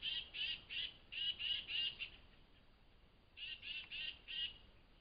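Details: Excited tufted titmouse at dawn beside a flying squirrel feeding station, giving bright, whistled notes in quick runs of five and four. Each note is evenly spaced, and a short silence falls between the runs.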